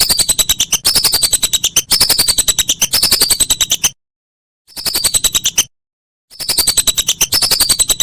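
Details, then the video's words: Master recording of whistling duck calls for songbird training: long runs of quick, shrill chirping notes overlaid by descending whistles, broken by two short silent gaps. "Masteran Burung Belibis"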